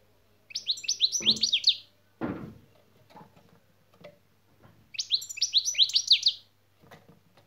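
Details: European goldfinch practising the 'şak şak' song part: two loud bursts of quick, high, falling twittering notes about four seconds apart, separated by a low thud and soft room sounds, with a constant faint hum.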